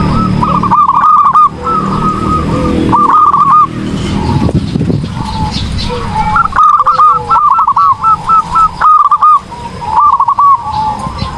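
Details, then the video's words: Zebra dove cooing, a recording meant for training other birds. Its soft, mid-pitched rolling coos come in repeated trilled phrases of several notes, separated by short pauses. A low rumbling background noise runs through. "PERKUTUT GACOR || COCOK UNTUK MASTERAN || SUARA BURUNG PERKUTUT"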